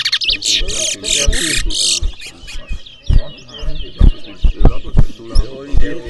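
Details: Twa-twa competing in a bird race in New Amsterdam, Berbice, Guyana: about two seconds of loud, buzzy, chattering song phrases, then men talking over fainter twittering.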